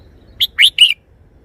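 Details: Red-whiskered bulbul in a cage sings its three-syllable song: a short high note, then two longer, richer chirped notes, the last slurring downward, all within half a second.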